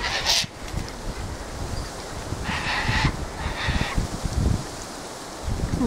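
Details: Gathered flock of Sulphur-crested cockatoos on a windy day: a short harsh squawk at the start, then two longer grating screeches in the middle, partly masked by heavy wind noise.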